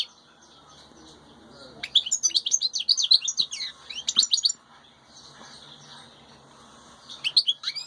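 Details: European goldfinch from the wild, chicks present, delivers a rapid burst of sharp, tinkling, high twitters lasting over two seconds, then a softer lull with quiet background chirps, and a fresh twittering burst at the end.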